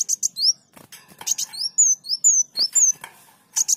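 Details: Sunbird singing, a recording meant for tutoring caged songbirds: high downslurred and upslurred whistles interleaved with scratchy broadband chips and rattles, somewhat uneven and busy.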